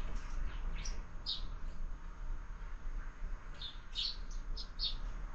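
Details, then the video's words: Sparrows calling at a window feeder during their breakfast, with birds fed there all year. Short high chirps come singly near the start, then a lively cluster of several chirps toward the end, over faint hum. "Воробьи в кормушке - Завтрак стартовал"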